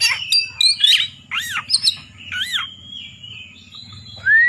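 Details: Oriental magpie-robin in competition-style singing meant to provoke rival birds: loud, varied whistled phrases with arched and upslurred notes and sharp chirps, pausing midway, over a steady low hum.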